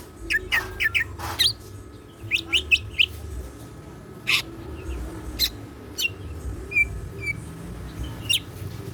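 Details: Greater green leafbird kept in a cage, singing with 'isian siklon' mimicry; sparse sharp chips and short whistled notes come in small bursts separated by pauses, with a low background hum throughout.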